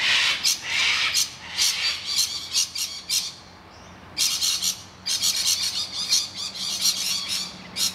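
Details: Distressed rainbow lorikeets defending their nest hollow from attacking noisy miners, screeching and screaming rather than fighting. Harsh, loud, broadband screeches come in rapid bursts through the first three seconds, then a pause, then dense repeated screeching from about 4.5 seconds onward.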